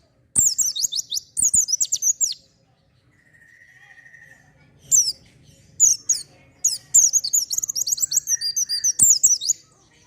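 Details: Oriental white-eye singing vigorously, played to draw out untrained birds: fast, thin, high twittering phrases, a long rapid chattering run near the end, a brief soft whistle between bursts, and occasional sharp clicks.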